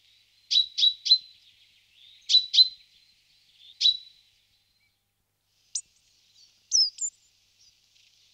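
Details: Great tit at a nest box, apparently fitting it out, giving short, sharp chip notes in quick clusters of two or three, then a few thinner high squeaky notes; otherwise quiet.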